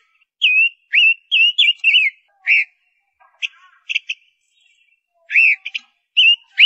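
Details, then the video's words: Singing female ngũ sắc bird, used as a decoy, delivers a run of bright looping whistles, then sparse sharp chirps, and a final pair of arched whistles. "Tiếng chim Ngũ Sắc mái hót, Chim Ngũ Sắc mồi"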